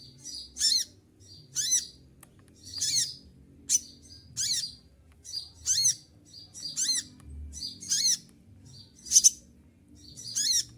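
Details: Olive-backed sunbird singing during heavy moult: a rapid series of around ten sharp, piercing, high-pitched bursts, roughly one per second, each a quick zigzagging flourish separated by brief silences.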